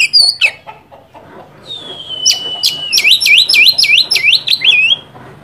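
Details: Oriental magpie-robin (kacer) song used to provoke a rival: a few sharp notes, a long steady whistle, then a rapid series of about six swooping whistled notes.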